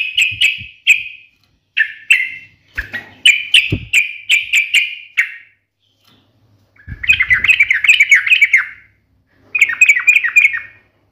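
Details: Sooty-headed bulbul in sharp fighting-style song: a series of separate bright, ringing chirps, then a fast bubbling warbled run and a closing group of quick notes, with faint low knocks in the background.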